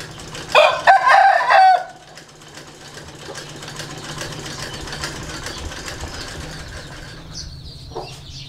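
An Aseel rooster gives one short, hoarse crow of a few rising and falling notes, lasting just over a second, over a steady low mechanical hum.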